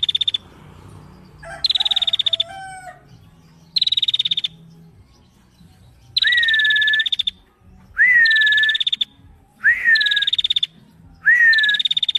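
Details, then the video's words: Female bar-winged prinia in energetic song: opening buzzy high trills and a lower wavering phrase, then four repeated phrases of a rising whistled note under a fast rattling trill, each about a second long with short gaps. "Prenjak Betina Gacor"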